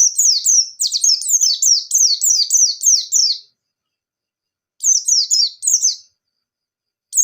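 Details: Lively white-eye of the bustomi type, used as a lure singer, pours out a ngalas song with nembak bursts. A long string of fast, falling, high-pitched whistles lasts over three seconds, then a short burst follows after a silence.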